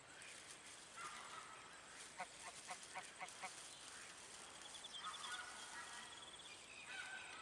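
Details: Pūkeko (Australasian swamphen, Porphyrio porphyrio) giving harsh, nasal squawks in a quick burst of about half a dozen notes, with faint whistles from other birds and a steady background hiss.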